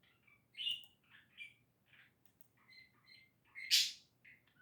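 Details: A pet budgerigar makes happy noises, chattering in quick, varied warbles and chirps with a sharp squawk.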